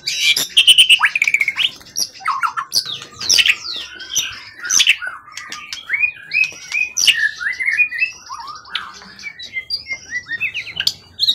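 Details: Long-kept, steady forest-caught competition bird with a 20 cm-plus tail singing vigorously: loud sharp chirps and whistles opening, then a flowing varied warble of slurred notes and buzzy trills.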